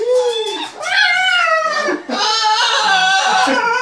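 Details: Pet macaws indoors, playing excitedly with their owners using tea towels, give long harmonic wooing calls, the first gently falling, then a sustained loud rising and wavering cry lasting over a second.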